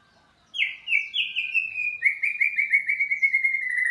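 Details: White-rumped shama in vigorous 'gacor' singing: after half a second of silence, two clear whistled notes slide downward, then a fast run of rippling trilled phrases holds steady and gently falls toward the end, bright and loud.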